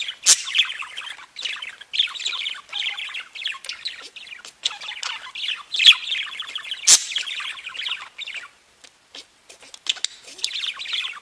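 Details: Pet budgerigars warbling and tweeting in a continuous, scratchy chatter broken by brief pauses, with a few loud sharp chirps standing out above the twittering, then a short quieter gap before the chatter resumes.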